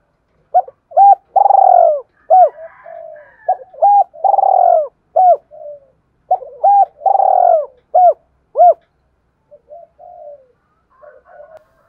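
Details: Spotted dove song meant to prompt a decoy bird to coo, with repeated phrases of short hollow coos and drawn-out rolling notes, about three phrases over twelve seconds, with brief quiet gaps and faint softer notes.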